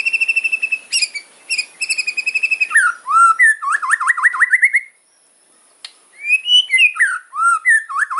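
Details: White-rumped shama fighting song, a sharp 'kretekan' style: rapid runs of high ticking notes, then loud zigzag whistled trills sliding between low and high pitch, a brief pause near five seconds, then more varied whistles and chips.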